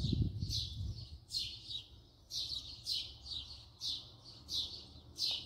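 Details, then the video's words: Close-up house sparrow calling a regular series of sharp, somewhat metallic chirps, about two per second, following a short low thud at the outset. "voice song call house sparrow صوت عصفور الدوري"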